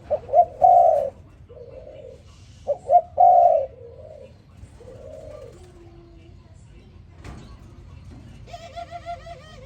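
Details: Spotted dove calling in the morning: two loud cooing phrases, each a quick double note then a longer croo, with softer distant coos answering between them and a brief higher harmonic twitter near the end.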